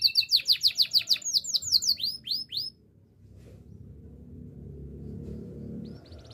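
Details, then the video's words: Canary training song: a quick run of bright, downward-sweeping whistled notes repeated about three times a second, then higher rising notes. The singing stops halfway and leaves a low background hum. "Canary birds sounds!! The best canary training song"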